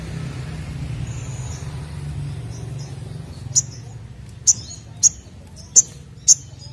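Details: Ashy drongo singing to prompt other birds to sing: after a quiet start, five sharp, high, clipped notes ring out about once every half to one second, over a faint low hum.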